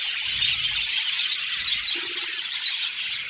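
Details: Seventy pairs of budgerigars kept as a colony in an aviary, giving an unbroken wash of high, scratchy chirping and chattering from many birds, with a short low hum partway through.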